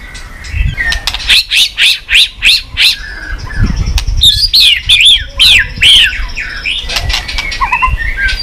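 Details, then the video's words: White-rumped shama stimulated to sing with tail-flicking. A row of harsh, rhythmic high notes about three per second, then bright looping whistles, with soft thumps and low rumbles between. "chòe lửa tạch đập đuôi sàn cầu dùng kích lửa cho chòe lửa lên lửa cực nhanh hót.Chòe Lửa đánh đuôi"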